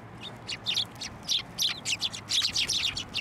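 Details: At a Tenmangu shrine on 21 December 2023, sparrows fly onto a hand to be fed; fast, irregular high chirps, several each second, build into a lively twittering chorus.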